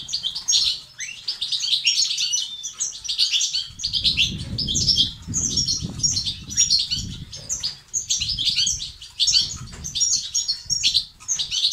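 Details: Extended European goldfinch 'tibtiba' and 'sitsat' song, used to encourage males to sing: repeated bursts of rapid, bright chirps and buzzy trills, over intermittent low fluttering and rustling.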